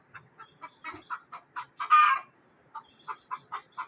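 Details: Frightened hen in a village in Neelum Valley, Kashmir, giving a run of short clucking alarm notes about four per second, one louder harsh squawk in the middle, then the rapid clucks resume.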